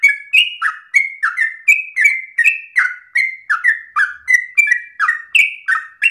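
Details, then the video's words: Loud trucuk song of a yellow-vented bulbul, long-breathed and meant to be copied by other birds: a regular procession of sweet whistled slurs, about three each second, alternately rising and dropping. "Trucukan gacor ropel ngotot nafas panjang ini cengkok paling gampang ditiru trucuk bahan"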